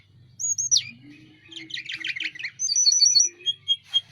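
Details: Mountain tledekan, the Sunda robin, singing briskly with wings spread: a high whistle sliding downward, a dense burst of buzzy trills, then a run of steady high pure notes.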